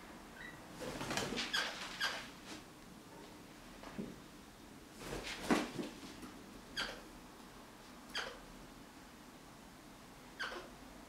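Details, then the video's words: Crimson rosella defending a sock, with a rapid irregular series of scratchy, screechy bursts, some in quick clusters and others spaced a second or more apart. "Crimson Rosella protecting sock"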